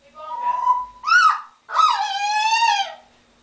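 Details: Indoor African grey parrot imitating laughing and a duck's quack: a drawn-out nasal, voice-like tone, a short bright rising squawk, then a longer buzzy harmonic note sliding gently downward, with a low room hum beneath.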